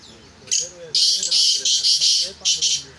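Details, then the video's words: Harsh, noisy black francolin calling from a bird being prepared for chakri. A brief note leads into a long run of rasping bursts, ending with two more, over low male speech. "کالے تیتر کو چکری کے لیے تیار کیا جارہاہے"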